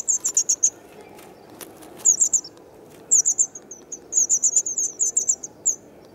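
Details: White wagtail chicks, two days before fledging, filmed in Kumiyama, Kyoto Prefecture, Japan on 3 June 2019 while parents fed them; several separate bursts of four to eight sharp, high chips, with short silent gaps between bursts.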